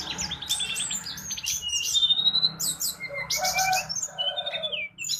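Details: Tledekan bakau, the mangrove blue flycatcher, in lively tutor song: rapid strings of sharp high chips, about four notes a second, mixed with slurred whistles and a steady low background hum.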